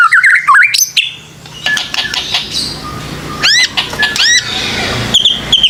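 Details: Lure song of white-rumped shama aimed at young birds just past juvenile spotting: a fast warbled opening, then scattered chips and two arched upslurred whistles, with a light hiss throughout.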